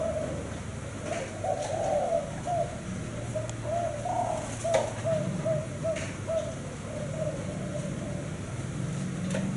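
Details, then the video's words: Spotted dove of the 'thái hậu 5' kind, noted as a keen cooer, delivering a long series of soft, hollow coos in rhythmic bursts, with faint clicks and a steady low drone behind. "Cu gáy thái hậu 5 siêng gáy"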